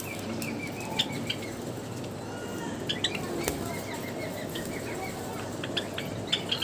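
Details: Pet Java sparrows in an aviary during bathing time give short, scattered high chips and twittering notes over a steady background hiss, with bursts of wing flapping and splashing.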